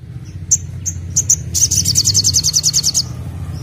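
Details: Olive-backed sunbird singing in the nembak style: several sharp, thin high chips, then a fast rattling trill of evenly repeated notes lasting about a second and a half, with a low background hum.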